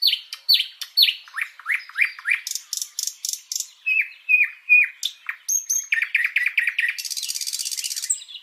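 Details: Common nightingale (Luscinia megarhynchos), song.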